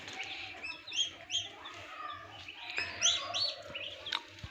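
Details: Turkey chicks starting to hatch in an incubator on an Assam turkey farm, soft busy high chirping from many chicks over a low humming machine, with a couple of clicks.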